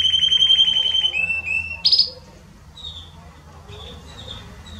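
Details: Belgian canary, estourado style, meant to warm up other canaries: a bright fast trill, short descending notes, and a loud burst, then only faint scattered chirps.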